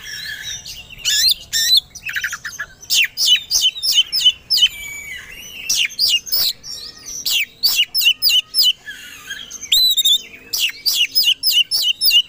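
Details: Oriental magpie-robin (kacer) song used as a provocation so a contest bird turns aggressive and ready to fight: dense, fast bursts of sharp high whistles, chattering trills and rising sweeps, hardly pausing across the stretch.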